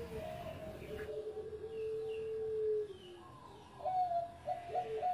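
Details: Former first-place contest champion zebra dove of the Bangkok type in full song: a long, low, even coo held for over a second, followed by higher, softer coo notes, all under a noticeable hissing background.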